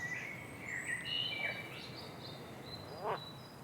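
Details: Small bird singing thin whistled notes, some gliding and some steady, between lower and higher pitches, over faint steady background noise with a brief rasping burst near the end.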